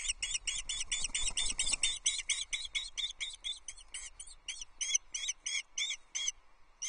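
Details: Female osprey on a Loch Arkaig nest, 15 May 2024, calling impatiently on seeing her mate shortly before he delivers a trout: a fast run of shrill whistled chirps that gradually slows and spaces out, with faint low rumble early on.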